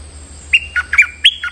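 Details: Stripe-throated bulbul lure call aimed at a resident bird on its territory: a lively string of about six chortling, slurred notes, with a low hum beneath.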